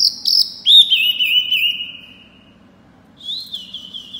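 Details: Small pygmy cupwing singing actively with a loud, ringing voice: high piercing whistles, a long wavering held note sliding slightly down, a pause, then another high steady whistle.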